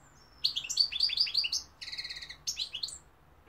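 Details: European goldfinch song: a rapid, tinkling twitter of high liquid notes, a run of slurred chirps followed by a short buzzy trill and another twittering phrase.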